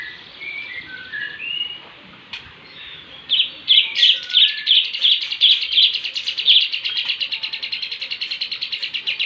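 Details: Mastered Bandung lovebird carrying kapas tembak and jenggot fills: a few soft whistled notes, then from about three seconds a loud, rapid, regular chattering trill that keeps running to the end.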